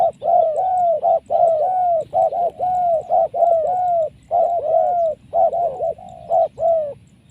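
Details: Powerful-voiced wild spotted dove caught in a trap, considered a good future decoy: continuous, irregular cooing, quick paired notes mixed with long level coos that droop at the end, with steady low background noise.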